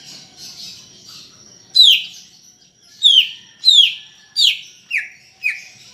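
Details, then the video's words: Greater green leafbird singing, used to coax kept leafbirds into song: after a quiet start, six loud whistled notes that swoop down from very high to mid pitch, coming at uneven intervals. "Ocehan Cucak Ijo Gacor untuk Pancingan Bunyi"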